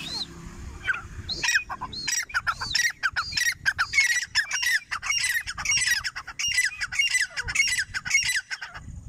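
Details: A female grey francolin calling, giving harsh, squawking notes in a rapid, rhythmic series.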